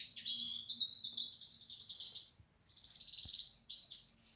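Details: European goldfinch song starting with a rapid high twitter and a drawn-out buzzy trill, a short lull, then more sharp chirps and tinkling notes.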